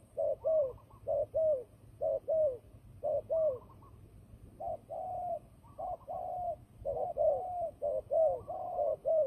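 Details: Turtle dove used for trapping, in a fighting mood: a run of paired short coos, a brief pause, then longer purring coos resuming at a similar pace.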